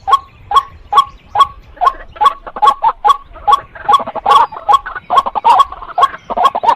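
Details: Female white-breasted waterhen giving a long run of short, hoarse clucking notes, about two per second, in an uneven rhythm. Some notes double up and the calls grow busier toward the end.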